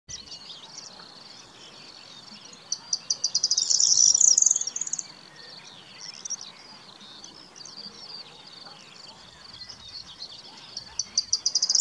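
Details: Corn bunting song at Rači Potok, Košice, Slovakia, on 25 May 2019: a few quickening high ticks that break into a dry, jangling rattle like shaken keys, given twice, over a soft hiss of background noise.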